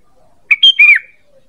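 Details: ['Sooty-headed bulbul call used to lure birds: a single short phrase of three liquid whistled notes, the last slurring downward.']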